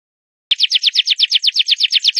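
A canary launches into a loud, high trill of about fourteen quick, identical chirping notes, roughly eight per second, with nothing else audible.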